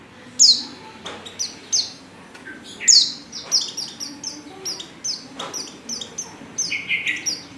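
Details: Female white-eye in breeding condition calling to a male: high, thin chirps and short downward-sweeping tweets in scattered bursts, about two dozen a minute, with sharper doubled notes between them over a quiet background.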